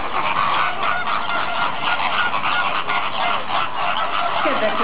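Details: Over a hundred zoo greater flamingos (Phoenicopterus roseus), several chicks among them, form a crowded colony keeping up a continuous, goose-like honking chorus, many nasal calls overlapping without a break.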